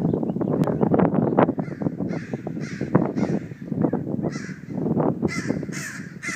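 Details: Crows driving off a hawk, giving a dense burst of harsh, rapid caws that overlap one another, with louder hoarse calls rising above the clamor in the final seconds.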